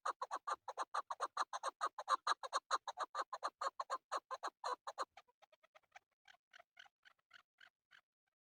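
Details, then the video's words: Male chukar partridge kept for hunting, giving a loud run of harsh, evenly spaced clucking notes, roughly one per second-fraction, for five seconds, then a softer trailing series of fainter clucks fading out. "Male chakoor shikar kekliksesi"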